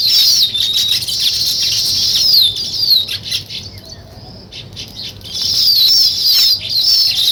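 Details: Weaver birds building a nest, a dense chorus of high chirps and rapid twittering trills with short sweeping whistles, some quieter moments midway.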